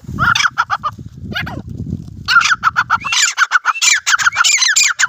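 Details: Grey francolin, desi teetar, calling during a fight: a loud burst of harsh, rasping notes repeated in quick succession. It follows a stretch of low rumbling background noise and muffled voices.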